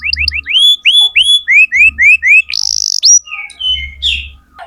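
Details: Canary singing as a tutor for young birds: series of clear looping whistled notes repeated about three per second, a brief buzzy burst, then varied warbled phrases; low background hum.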